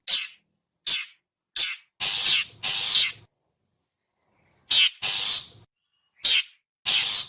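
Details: Characteristic calling of a long-tailed shrike (pentet) meant for luring birds: clipped harsh chacks followed by longer grating rasps, a pause of more than a second, then another run of rasping notes.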